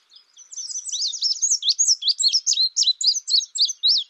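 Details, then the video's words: Indigo bunting producing a steady, loud sequence of high, sharply slurred chirps at roughly four per second, building from soft notes into a clear rhythmic run over a silent background. "Indigo bunting sound | call"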